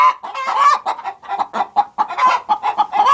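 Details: Chorus of hens in a productive hen house, rapid overlapping clucks and nasal cackles following one another almost without pause.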